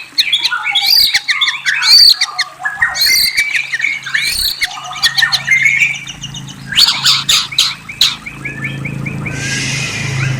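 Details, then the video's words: White-rumped shama pouring out a varied song of whistles and trills, with rich sliding notes, sharp high chips and a rising whistled phrase, over a steady low hum. "Murai Bird Whistles and Trills"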